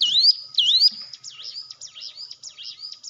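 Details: Hill prinia song used as a lure to train quiet cage birds to sing. Two loud, high, rising whistles are followed by a softer run of quick, repeated upslurred notes.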